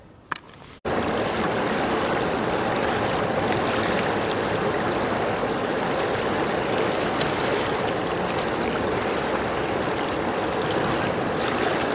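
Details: After a brief quiet start, steady rushing water fills the rest, with no animal calls heard.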